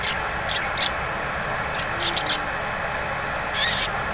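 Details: Sunbird lure song in the 'ngleper' style for drawing out 'ngriwik' singing: scattered groups of very high, sharp chirps, sometimes in quick threes, separated by brief gaps, over steady hiss.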